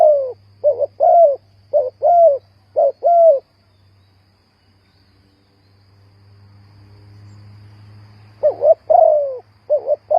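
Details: Spotted dove used as a trapping lure, a rapid run of short soft coos in paired notes, a silent gap of several seconds with low humming, then the cooing resumes.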